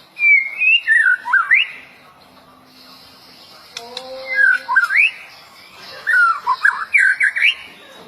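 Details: White-rumped shama, a performance bird, singing three separate bursts of twisting, warbled whistles spaced by quiet gaps, with a faint low tone and a click between them.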